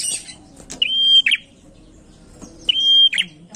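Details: Prinia lure song: two drawn-out pure whistles, each ending in a grating buzz and separated by about two seconds of quiet with faint clicks and a low hum.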